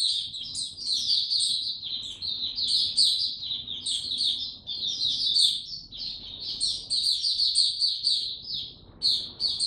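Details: A mata puteh, or white-eye, kept in a cage delivers continuous high-pitched song, fast twittered notes tumbling together with sharp upward squeaks scattered through, barely pausing across the whole stretch.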